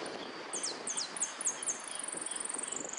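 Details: Saffron finch singing in a competition with repique-style song: a series of high, sharp downslurred whistled notes, then a fast, even high trill, over steady background hiss.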